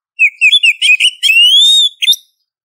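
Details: A female Oriental magpie-robin calls a male, as a lure to provoke a reply: a fast series of chirpy whistles runs into a long, smooth, slightly rising whistle, then ends with a short final note.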